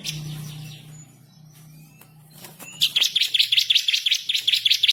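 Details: Bar-winged prinia master song, called ciblek kristal, lively with rolling trills and sharp shots. Nearly three seconds of low hum give way to a steady, rapid run of high, buzzy chirps.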